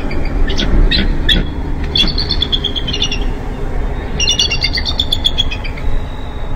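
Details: Bald eagle calling at the nest on day 35 of incubation, 4 April 2015, while a pip is awaited. Two bursts of high, squeaky piping notes run in quick descending strings, with a steady low hum beneath.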